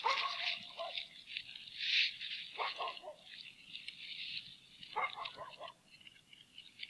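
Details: Bald eagles at the Hanover nest on 10 February 2017, as the female lays the season's first egg in a frozen nest in cold weather; high, thin, yelping chatter notes in short runs, with steady wind-like hiss throughout.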